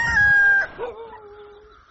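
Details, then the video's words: Rooster at dawn: the tail of a sustained harmonic crow, ending in a falling, fading drawn-out note. "Galo Cantando Ao Amanhecer"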